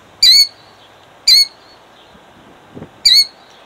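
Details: Female killdeer protecting her eggs, Jackson, New Jersey, 2008: three loud, sharp, high cries, each a quick falling note, spaced about a second or more apart, with a soft thump between.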